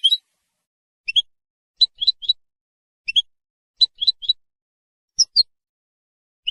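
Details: European goldfinch, a bird that sings to hold territory and attract females, giving short, sharp, clipped chirps singly and in quick clusters of two or three, spaced irregularly, with silence between.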